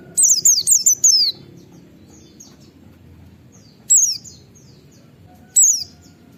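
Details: White-eye in 'ngalas nembak' style, used as a lure to set other white-eyes calling: one opening run of five high, zigzag downslurred notes, then two short single notes spaced apart, soft background murmur.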